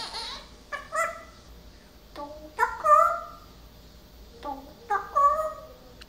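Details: Pet parrot, recently talking more and learning varied words, heard after its perch was changed: clear, tonal, harmonic phrases with bending pitch, delivered in short bursts about every second or two, with quiet gaps between them.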